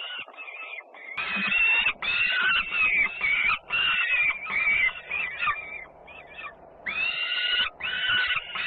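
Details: Peregrine falcons in Włocławec, Poland, 3 June 2010, with a sister arriving home with much noise at feeding: near-continuous harsh, grating screams in rapid bursts, briefly pausing midway.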